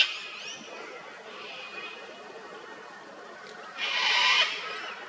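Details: Harsh, noisy screech from a sulphur-crested cockatoo, an Australian native bird visiting an old dead tree for honey, comes near the end after quieter background chatter and a thin whistled note.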